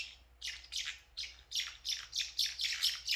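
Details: Pet blue parrotlets giving their special chirp: bright, high, rasping chirps that each drop in pitch, repeated quickly and growing more frequent and louder toward the end, over a steady low indoor hum.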